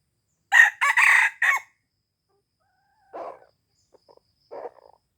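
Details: Aceh red junglefowl crowing as a lure for wild junglefowl: a fast four-part harsh crow, followed by quieter low clucking notes spaced about a second apart.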